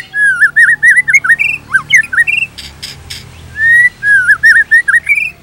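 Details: Caged white-rumped shama singing looping whistled notes that bend up and down, a brief pause with harsh buzzy bursts, then a long steady whistle followed by more wavering whistles.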